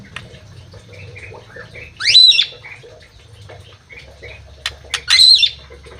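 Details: Two loud, grating squawks about three seconds apart from a crewet held in an aviary, each a rising then falling harsh note, with soft quiet chirps between and a low hum throughout.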